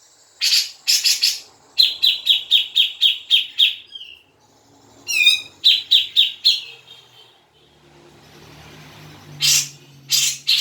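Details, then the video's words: Grey-cheeked bulbul lure song for prompting a caged bird to sing: quick runs of dry, chattering chips, broken by a short whistle and a descending trill, with pauses of faint background noise. "pancingan cucak jenggot biar bunyi"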